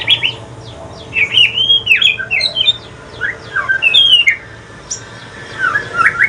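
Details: White-rumped shama from Aceh singing in the evening, its song turning to the pastol style: a fast, chatty run of clear whistles, slurred downward notes and sharp chirps in short bursts, over a steady low hum.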